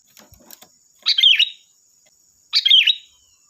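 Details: Sooty-headed bulbul song played to make other bulbuls reply: two rich, gurgling phrases a second and a half apart, each rolling down into a short slurred whistle, with soft rustling at the start.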